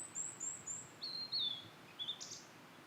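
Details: Blue-and-white flycatcher song from satoyama hills, with three quick very high whistles, then longer clear notes gliding down, finished by a short harsh buzz.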